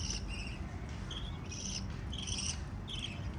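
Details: Five little lovebirds giving soft, high, tinny chirps in short spaced phrases, each lasting a fraction of a second, against a steady low background drone.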